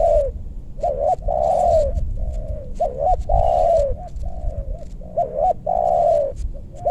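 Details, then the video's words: Spotted dove heard while luring wild birds in meranti forest in west Bogor, aimed at big-voiced doves: low, mellow cooing phrases, short doubled notes followed by a longer drawn coo, repeated several times over low background rumble. "Pikat tekukur ajaran si bucil paksa turun bl suara besar"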